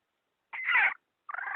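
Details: Hen call used to lure birds into traps: one harsh drawn-out squawk followed by a second rough, wavering call.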